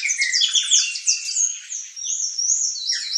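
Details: Palm tanager giving a fast series of high squeaky down-slurred chirps followed by drawn-out thin whistles that rise and fall.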